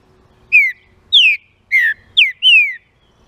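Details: Song of a green-winged saltator, played to stimulate other saltators: five rich descending whistles in about two seconds, the final note longest and gently falling, over a quiet background.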